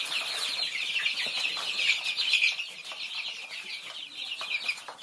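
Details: Thai chicks at feed keep up a steady crowd of shrill overlapping peeps, with pecking clicks throughout.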